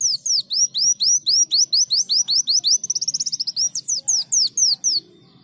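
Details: Leafbird singing vigorously in a canary-like style: a fast run of sharp, high, downward-slurred whistled notes about eight per second, breaking into a rapid buzzy trill midway, then returning to the slurred notes.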